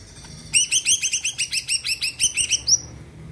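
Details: Vigorous Greater green leafbird song meant to spur other birds into singing: a fast, steady run of about a dozen bright, ringing chirps ending in a higher upslurred note.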